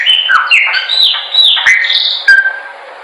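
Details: Singing Chopi blackbird, recorded for song training: a quick string of clear whistled phrases, slurring down and up, with short clicks between them, fading into a final low whistle.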